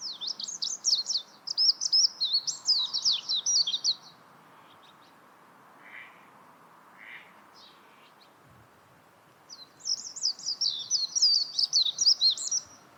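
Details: Warbling white-eye singing: two long bursts of rapid, high twittering warble with quick chirping notes, each lasting about four seconds, separated by a quieter pause with a few faint notes.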